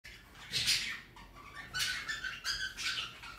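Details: Pet rainbow lorikeet (Trichoglossus moluccanus) mimicking a cockatiel indoors in a small room: a series of bright, harsh chirps and short whistles.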